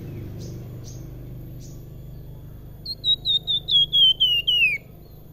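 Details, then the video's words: Salakan singing freely in a sweet, flute-like style: a few faint high chirps, then a series of about eight clear whistled notes that step steadily downward, the last note sliding lower, over a low background hum. "Salakan Gacor Besetane dan sulingan merdu pisan"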